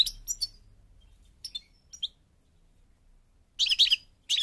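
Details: European goldfinch, North African Parva form from Morocco, giving scattered short high chirps and twitters with long quiet gaps, then a brief loud burst of tinkling notes near the end.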